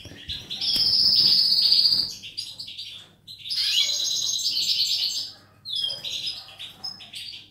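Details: Singing European goldfinch, recorded 19 May 2018, opens with a long drawn-out buzzy trill, then a second extended twittering, buzzing phrase, and ends with a string of rapid high chirps.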